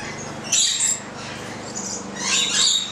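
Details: A Stella's lorikeet, recorded on 25 April 2014 while eating bread, gives two harsh, high screeching bursts, one short and one longer, about two seconds apart, over a faint steady background hiss.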